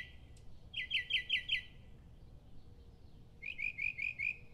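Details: Mockingbird in predawn song, giving two bright phrases of five or six rapidly repeated chirps each, separated by a pause, over a faint low background hum.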